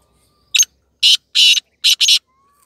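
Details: Black francolin (kala teetar), a hand-tamed pet bird: harsh, raspy, broadband notes in a short phrase, one single note, two longer grating notes, then a quick doubled pair, in an otherwise quiet setting.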